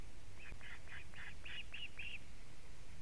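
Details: At a Latvian osprey nest on a July 2017 evening, the male brings in a living fish amid alarm calling: seven evenly spaced whistled yelps over steady hissing background noise, from a live nest camera.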